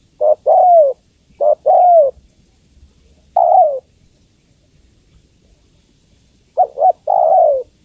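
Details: Female spotted dove calling to the male: three bursts of low cooing, each two or three short hooting notes then a longer note sliding downward, with quiet pauses between phrases.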